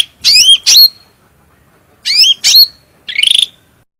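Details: Cucak rante bulbul singing for a training recording. Two paired hooked, rising whistles are separated by a silent gap, followed by a brief rattled buzz.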